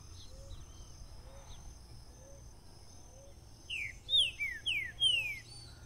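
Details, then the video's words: A green-winged saltator (trinca-ferro, Saltator similis) sings its "bitola" song: soft low repeated notes, then a burst of loud, clear, slurred whistles in five quick rising-and-falling phrases, over a steady high hum. "O CANTO DE UM TRINCA FERRO BITOLA"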